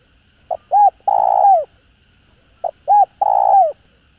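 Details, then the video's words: A spotted dove gives a calling song meant to stimulate other doves: two soft cooing phrases about two seconds apart, each a quick short note, a hooked coo, then a long drawn coo falling at the end. "Tiếng Cu Gáy GỌI +THÚC Kích Bổi Nhanh Nổi"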